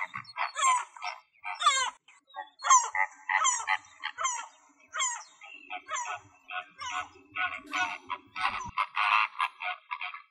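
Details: Male mallards in Greek wetland give a run of harsh, nasal quacks about once a second, growing denser and overlapping toward the end, with a faint low rumble midway; flamingos, redshanks and gulls were recorded at the site.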